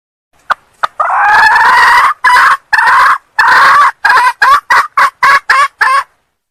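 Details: Wild junglefowl hen from Sumatra calling to draw in males: two faint clicks, a long raspy note, then a run of loud choppy notes that shorten and quicken toward the end.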